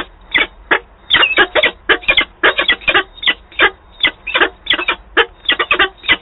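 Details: Two peregrine falcons meeting at Wałbrzych on 5 October 2022, quarrelling over the rest of their prey: loud, harsh, grating notes repeated rapidly and irregularly in bursts, some doubled or tripled, with a muffled low hum beneath.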